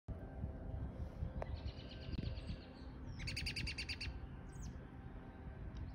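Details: A male American robin atop Triangle Mountain, Vancouver Island, BC, gives its whinny call after following a female: two quick runs of high, sharp chattering notes, the second louder and faster, over a low rumble.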